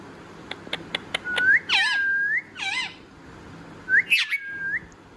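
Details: Pet parrot whistling indoors: a row of sharp dry clicks, then bright whistled phrases that dip and rise before levelling into a long steady note, repeated twice in quick succession and once more after a pause.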